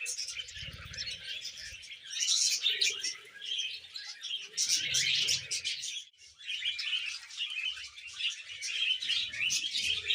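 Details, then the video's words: Pet budgerigar, happy, pouring out a long rambling warble of buzzy chirps and squeaks in surges, with a short dip in loudness and faint low murmurs underneath. "Happy Budgie Sounds"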